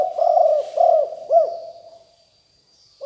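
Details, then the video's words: Spotted dove of a fierce Liu Tan strain, used as a decoy to lure wild doves: three loud, mellow coos in quick succession, then a fading hum and a faint high whine in the background. "นกเขาใหญ่คับ หลิ่วตันสายพันธุ์ดุ#9 ครบเครื่องเสียงต่อนกเขาใหญ่2564"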